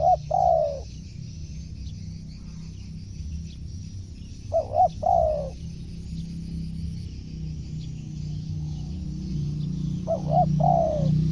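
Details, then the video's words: Tekukur or spotted dove call used for luring wild birds in: three repeated phrases of two quick coos and a longer falling coo, roughly every five seconds, over low humming background noise. "suara tekukur cocok memanggil burung luar"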